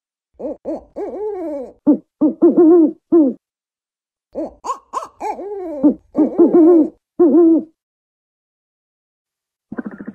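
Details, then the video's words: Phrases of fast, rounded hoots and sliding notes from an African wood owl, separated by a few seconds of silence. A short burst of noise comes at the very end. "African Wood-Owl Call"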